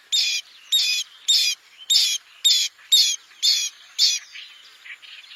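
A bronze-winged jacana gives eight harsh, high, slightly wheezy notes, about two each second, then trails off into softer, shorter notes.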